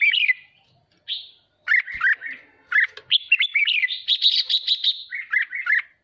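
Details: Red-whiskered bulbul in training, fired up for competitive 'hót ché' singing: lively continuous warbling of liquid, rising and falling notes, building into a dense rapid chatter near the end.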